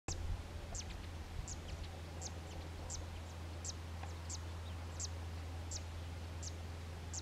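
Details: A zitting cisticola perched on a post at Quinta do Pisão, Cascais, repeats sharp, very high 'zit' notes, about one every three quarters of a second, over a steady low rumble of wind or distant traffic.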